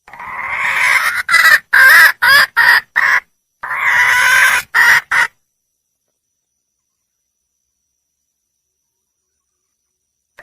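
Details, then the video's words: Female red junglefowl calling for a male: one long, harsh, nasal note followed by a run of shorter clipped notes, then silence for the final five seconds. "le bruit d'une poule sauvage,เสียงไก่ป่าร้องหาถู่หาตัวผู้,ສຽງໄກ່ປ່າຮ້ອງຫາຄູ່ຮັກ, poj qaib qus see"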